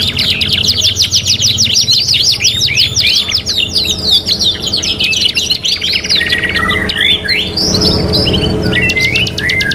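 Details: Energetic canary song on a three-in-one training track for 'kenari gacor': a long run of rapid, evenly repeated chips gives way to looping whistles and a quick final trill. Low hum persists behind.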